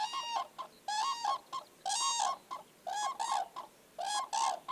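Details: Common cranes dancing in spring trumpet in loud, rolling, rattling bursts about half a second long, several in quick succession, with more than one bird calling.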